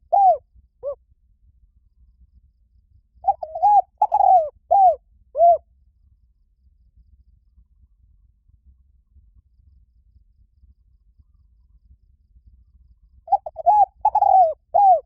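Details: Spotted dove repeating its cooing song three times over fifteen seconds: each phrase has stuttered opening notes, a long descending coo and a few short arched coos, with long silent gaps between phrases.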